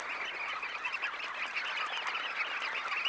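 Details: Roughly 20,000 red knots lifting off a high tide roost, recorded close: thick overlapping chatter of brief nasal notes forming an unbroken, even-level din.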